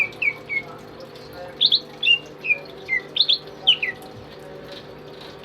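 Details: Pet greater green leafbird, tame and in full song, used as a tutor for other cage birds, giving clear whistled phrases of falling slurs and quick doubled chirps, about two to three notes each second.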